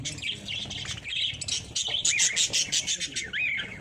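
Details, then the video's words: Lovebirds in a breeding setting, a chorus of shrill, high chirps and squeaky twitters in quick, irregular bursts, several birds calling over one another, with a few rising and falling whistled notes near the end. "Love Birds Singing"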